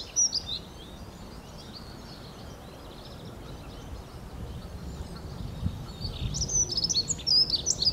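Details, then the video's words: A Dunnock singing in early spring: a high, clear, fast jumbled warble without trills near the end, after a few thin chirps at the start, over steady low rumbling background noise. "Vogelgeluid: heggenmus, Prunella modularis, Dunnock singing"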